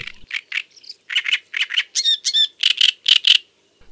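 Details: Great Reed Warbler singing from riverside reeds in the evening and at night gives a loud, harsh, crackling song carrying far: grating chirps in quick pairs mixed with a few higher, squeakier notes.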